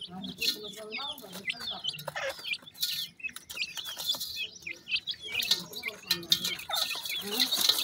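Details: Pheasant chicks at their feed: a busy chorus of high, sharp cheeps and short downslurred whistles, broken by loud pecking clicks and scratching.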